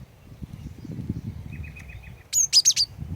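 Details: Female cinereous tit giving four sharp, high chirps in a quick burst to lure males into singing, preceded by a soft low whistle and a background murmur.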